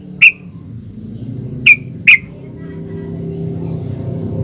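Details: Yellow-vented bulbul (trucukan) in lively "gacor ropel uplik" style, used as a master recording to get caged bulbuls to answer. Three sharp, bright whistled notes, the last two close together, over a low background rumble.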